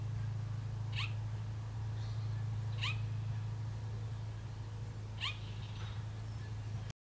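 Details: Male Baltimore oriole near its nest in a campsite, south central Saskatchewan, Canada, June 25, gives an unusual quiet, short, rising call three times, spaced two to three seconds apart, over a steady low hum.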